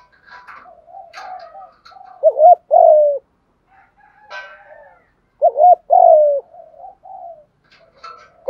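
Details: Lure cooing of a spotted dove to attract others, two clear phrases of a quick double note and a long descending coo, separated by soft murmured coos and occasional faint higher chirps from other birds.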